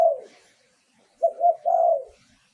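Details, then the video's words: Lure recording of a spotted dove: the tail of one coo, then a full low phrase of two short coos and a longer, slightly falling final note, in a quiet setting. "เสียงต่อนกเขาใหญ่ เสียงชัด"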